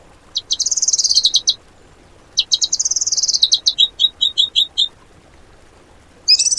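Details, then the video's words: 'Tembakan' style tutor song for cage birds: two bursts of rapid, very high twittering, the second running into a string of short chips, then a brief sharp phrase at the end. "MATERI ISIAN BURUNG TEMBAKAN MEWAH POWER DOOR"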